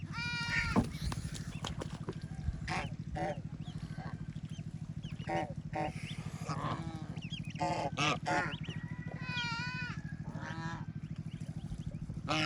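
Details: Ducklings with their mother family on a peaceful rural farm, swimming and playing in water: many thin arched peeps in rapid irregular bursts, mixed with short nasal harmonic quacks, over a steady low rumbling background.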